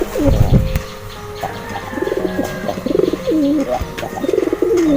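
A pigeon gives soft, low, throaty coos that waver and roll in short repeated phrases.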